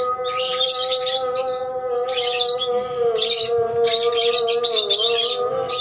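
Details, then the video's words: A lovebird colony fills the air with dense, shrill chattering in waves of rapid overlapping chirps, with a constant humming drone underneath. "Love bird colony"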